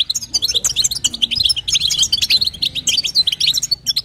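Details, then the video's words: Female European goldfinch calling to stimulate the male, in the styles called batbata and sastasa: a fast, unbroken stream of high tinkling chirps and short trills, bright and liquid, with no pauses. "نداء انثى الحسون لتحفيز طائر الحسون | بتبتة وستسته جديده"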